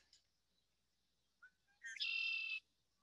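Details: Red-winged Blackbird song in early spring, when the birds sing from cattails: a few short introductory notes, then a gurgling rise into a harsh, buzzy trill lasting about half a second.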